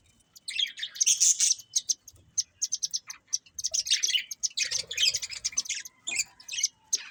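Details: Budgerigars, a breeding pair, chirping continuously in quick high-pitched bursts of scratchy twitters and ticks, rising and falling in loudness.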